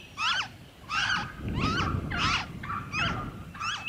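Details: Loud, raucous calls of a noisy friarbird, Victoria, Australia, February 2023: six grating, looping notes at roughly two-thirds of a second apart over steady low-pitched background hum.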